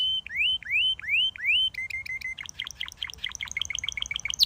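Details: Singing canary: four looping rising swoops, then a quick run of clipped chirping notes that speed into a busy, jumbled trill.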